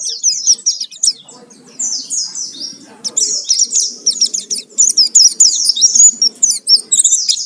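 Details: Rapid, energetic song of an Oriental white-eye, used as a lure to get birds singing: dense high-pitched twittering with gliding whistles and quick trills running almost without pause, over a faint low background rumble.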